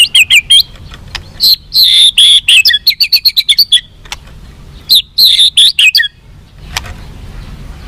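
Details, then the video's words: White-rumped shama song to make captive birds more responsive and fighting: high bright chattering phrases and quick trills of short notes in bursts, separated by brief quiet gaps. "SUARA BURUNG MURAI BATU FIGHTER"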